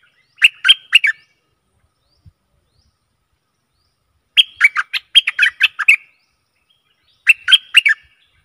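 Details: Decoy recording of a Stripe-throated bulbul for aggressive wild birds: three bursts of rapid, chirpy warbled notes separated by pauses of several seconds, the middle burst longest, with no other sounds.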